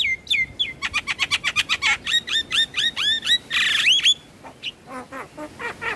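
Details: Black-winged starling song used as routine therapy for stressed, quiet caged birds: rapid series of sharp downslurred whistles about four per second, a harsh buzzy burst, then softer scattered whistled notes.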